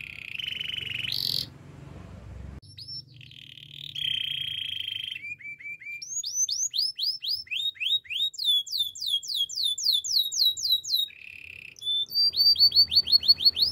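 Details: Canary singing a training song: a steady buzzy tone, a harsh burst, held reedy notes, then a long series of downslurred whistles that speed up into rolling runs, ending with a quick trill; faint low hum behind.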